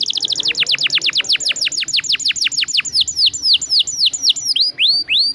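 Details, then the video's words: A canary's long rolling song, meant to stimulate other canaries: a fast run of falling whistled sweeps that gradually slows into wider-spaced, clearer descending notes. "PANCINGAN KENARI GACOR NGEROLL PANJANG"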